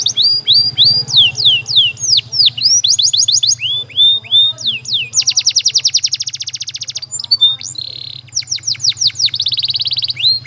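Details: Training song of a canary: varied phrases of swooping whistles, sharp falling chips and long rapid trills, with a steady low hum underneath.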